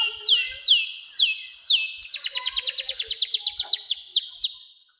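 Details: Canary long song aimed at young canaries: several swooping downslurred whistles, then a long run of quick repeated notes, ending in high falling whistles.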